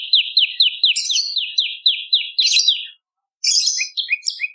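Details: Bar-winged prinia lure call: a regular chain of sliding chirps, some higher squeaky notes overlapping, a pause, then a varied jumble of high twittering notes.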